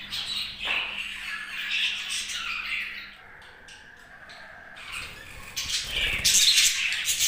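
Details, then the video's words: Budgerigar happy chatter, scratchy squawks and warbled chirps at first, a quieter pause with scattered ticks in the middle, then loud harsh squawking bursts returning toward the end. "Budgie Happy Sounds"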